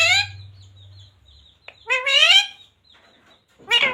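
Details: Pet green parrot saying Radhe Radhe, short mimicked word phrases with rising harmonic sweeps separated by quiet pauses, low hum early on.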